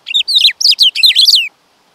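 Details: Black-throated grosbeak delivering a rapid run of loud, sharply downslurred whistled notes in quick groups, with the final note sliding lower. Silence follows.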